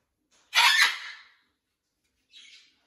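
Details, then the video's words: Blue-and-gold macaw in a rescue sanctuary flock it is adapting to, giving one loud, harsh broadband squawk lasting under a second, followed after a pause by a short, softer raspy note. "Blue & Gold Macaw is adapting to his new flock. Lots of parrot talking."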